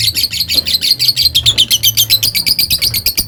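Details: Lovebird in long ngekek chatter aimed at riling rivals: dense, harsh, high-pitched notes repeated about six per second without a break, over a low background rumble.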